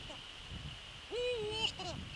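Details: Eurasian eagle-owl calling on a December evening while visiting its nest at 18:24–18:28, 27 December 2013. A single drawn-out, harmonic-rich nasal call rises, holds level, then dips, against soft rustling and a steady high background whine.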